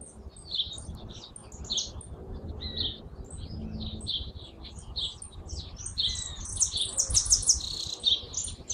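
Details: Hooded siskin song: a rapid, high twittering of short chirps and slurred notes, building near the end into buzzy, tightly repeated trill phrases, over a low background rumble.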